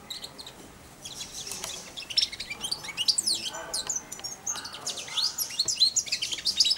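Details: Four-month-old caged European goldfinch practising subsong near a feeding hand, giving rambling high twittering runs and brief buzzy notes that come and go in bursts of a few seconds.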